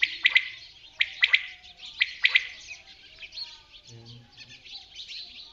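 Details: Common quail giving its clipped three-note call three times, about once a second. Fainter high twittering runs underneath and continues after the calls stop.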